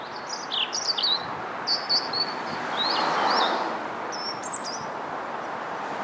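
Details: European robin singing, high thin phrases of whistles and twittering slides, each short and varied, sung in bursts across the recording over a steady low traffic-like rumble.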